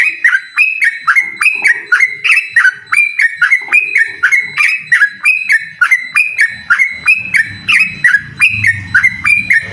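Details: Yellow-vented bulbul challenging a rival in a rapid-song duel: a long unbroken series of bright, stepped whistled notes at about three to four per second, with a faint low rumble near the end.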